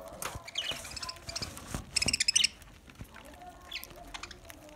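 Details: Lovebirds eating green food: a quick run of sharp, rapid high-pitched chirps near the middle, preceded by thinner squeaky notes, with clicking and pecking sounds between calls.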